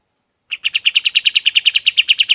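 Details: A golden-bellied gerygone, used as a training voice for other birds, starts with a single chip. A quick, even string of bright, high notes then runs at roughly eight per second on a clean background.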